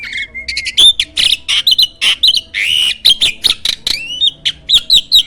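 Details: Champion contest starling with a loud voice, its song used as a master recording for training contest birds: a thin whistle opens, then rapid loud bursts of harsh, chattering notes with short rising whistles in quick succession.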